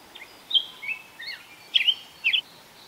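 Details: Black-headed grosbeak singing beside the Fraser River in Delta, British Columbia, Canada, on 25 May 2021: rich, sweet warbled phrases that slur up and down, in short bursts with brief pauses.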